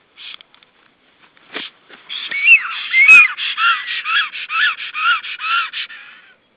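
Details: Black storks mating at an Estonian nest, 18 April 2013, on a nest camera: scattered dry clicks, then a steady run of wheezy, whistled notes that rise and fall, about two per second, with no other clear sounds.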